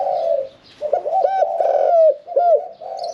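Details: Caged spotted dove, a 'khan yon 1 kuk' singer of middle voice never yet placed in a contest cage; a rolling coo followed by several clear arched notes and a closing low coo.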